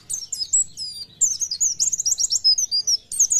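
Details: Oriental white-eye (pleci) singing a fast, high, thin chatter of rapidly repeated sweeping notes, about two per second in bursts, with a short pause near the middle.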